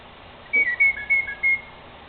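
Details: Northern mockingbird singing from a tree at night: a quick series of five bright, flat whistled notes with slight slurs, evenly spaced over about a second.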